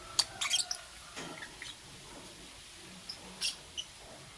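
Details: Morning chirping from lovebirds, green Fischer's and pastel blue: a tight burst of short, piercing high chirps at the start, then quieter spaced single peeps and one more brief shrill chirp near the end.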